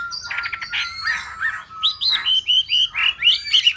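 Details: Hwamei singing loudly in a rapid run of repeated whistled phrases, about four per second, each note slurred and bright, over a faint steady high tone in the background.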